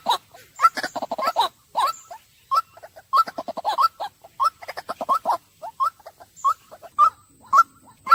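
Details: A white-breasted waterhen begins with irregular gurgling, bubbling bursts of notes, then settles into a run of separate short upslurred calls roughly every half second.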